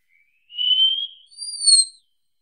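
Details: Wallcreeper song: a thin, drawn-out whistle that rises gently, followed at once by a higher, sharper whistled note. No other sounds.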